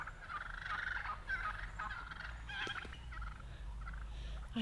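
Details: A flock of wild turkeys on a golf course in Redding, California, on a rainy day, displaying and chasing each other, give rapid, rattling gobble-like bursts, then shorter calls, over a steady low rumble of wind or distant traffic.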